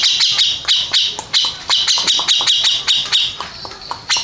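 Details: Rapid, rasping chatter from a Grey-cheeked bulbul that took first place in a song contest, the notes coming in uneven clusters with short pauses, the strokes tapering off near the end.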